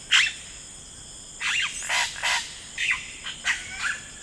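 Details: Harsh squawks and chattering notes from a yellow-rumped cacique in rainforest, one loud call opening the clip and a cluster of raspy calls after a short pause, with insects buzzing high throughout.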